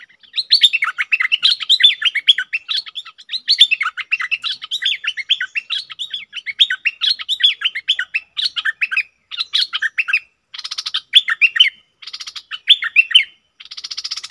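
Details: Red-whiskered bulbul calls: a dense, rapid run of bright chirping notes, ending with several harsher, buzzy bursts.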